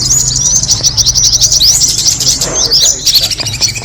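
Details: Kemade bird lure call: a rapid stream of high, sharp twittering chirps, rising and falling quickly, over a faint low hum.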